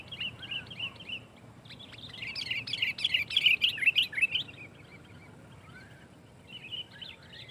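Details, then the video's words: Sooty-headed bulbul singing a dense, forceful lure song that pressures rivals and gets other bulbuls singing; soft chirps swell into a loud rapid cluster of bubbly notes, about three per second, then fade to quieter phrases. "SUARA BURUNG KUTILANG GACOR SUARA RAPATBIKIN KUTILANG LAIN IKUT GACOR"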